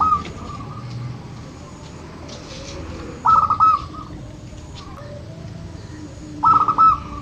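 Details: Zebra dove of local stock, a recording for rousing quiet birds: two short, fast stuttering coo phrases about three seconds apart, separated by faint distant coos and low background noise.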